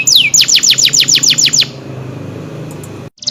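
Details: Canary singing: a rapid series of about ten high descending whistled sweeps, then the bird falls quiet over steady background hum.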